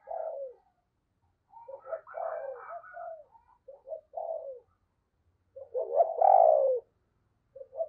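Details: Decoy spotted dove giving rapid prodding coos and crowing calls to lure wild doves in the morning: low, soft cooing phrases in uneven bursts, ending with one louder, drawn-out rolling coo. Quiet background.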